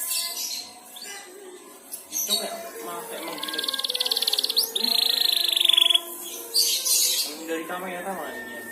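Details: Canary practising its twittering song (ngeriwik), set off by another canary's voice: scattered chirps, then a sustained high buzzy trill for about two seconds, with a soft low hum underneath and brief bursts of sharp notes.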